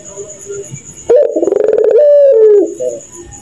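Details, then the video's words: Night-time coo of a puter pelung dove, compared to an evil kuntilanak's laugh: a sudden start, a string of fast throbbing pulses, then a smooth sustained tone sliding lower and a brief trailing note over faint background hum. "Burung Puter Tertawa Kuntilanak Jahat di Malam hari"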